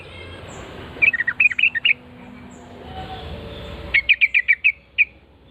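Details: Yellow-vented bulbul singing in reply to a lure call: a quick burst of bubbly, slurred notes, a hushed pause over background hum, then about seven evenly spaced bright chirps and one final note.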